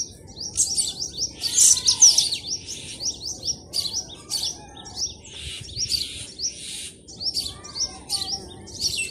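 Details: Morning birdsong in a village, natural environment: several birds give high, quick chirps and twitters in overlapping bursts, with soft lower notes underneath.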